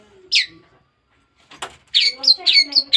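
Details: A pet long-tailed shrike, still young and only recently starting to sing: one high chirp, a pause, a dry knock, then a quick run of bright, rising and falling chirps.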